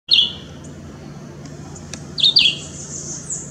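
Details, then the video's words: Chivi vireo (Vireo chivi) in Parque da Chacrinha, Rio de Janeiro, September 2018, giving short, high, downslurred whistled notes: one at the start, then a quick pair about two seconds later, over faint background hiss. "juruviara (vocalização)"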